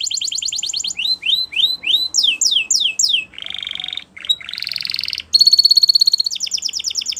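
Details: Timbrado canary song with rapidly repeated notes, a series of swooping rising and falling whistles, a lower buzzy roll, then a fast bright metallic trill.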